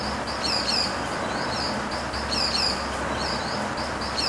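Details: Pied falconet, known locally as panda bird: shrill, high squeaky notes repeated in small bursts roughly every second or two, set against constant rushing background noise.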